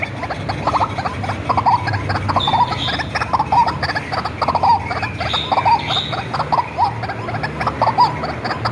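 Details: Lure recording of a tame, hand-raised white-breasted waterhen giving harsh, rhythmic croaks in bursts roughly every second, with faint higher whistles and a low background drone.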